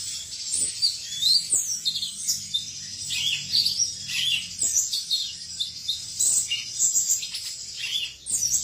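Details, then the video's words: Continuous high, twittering song from a male cucak cungkok: rapid chirps and short trills repeated over and over with hardly a pause. "suara jantan burung cucak cungkok"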